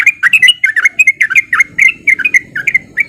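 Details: Lure recording of a male sooty-headed bulbul in full song; dense run of chirpy, warbled notes with rising and falling slurs, almost no pauses.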